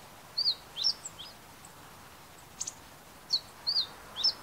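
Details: Meadow bunting, recorded on a compact digital camera, uttering thin high slurred notes and sharp chips in loose bursts, several in quick succession at the start and end, with a low steady hiss behind.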